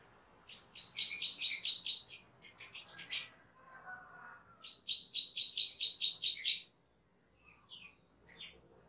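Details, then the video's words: Cucak keling, a caged bird in a master recording for training other birds, delivers two rapid bursts of shrill repeated notes, each about eight strong, linked by buzzy chatter and ending in scattered chips. "SUARA MASTERAN CUCAK KELING/KERLING"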